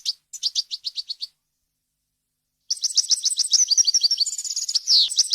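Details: European goldfinch tutor song: a row of separate bright chips, a silent pause, then a dense run of quick high twittering and trills ending in a descending buzzy note.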